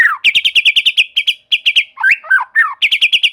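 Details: Murai batu, the white-rumped shama, singing lively song of rapid, evenly repeated chipping notes in runs, broken by a pair of twisting, slurred whistles before the quick repeated notes return.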